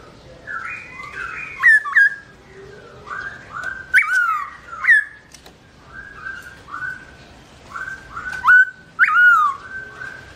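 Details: A captive Black-throated Laughingthrush sings while its owner is away: mellow, fluty whistled phrases about once a second, broken by sharp rising notes and a few clicks.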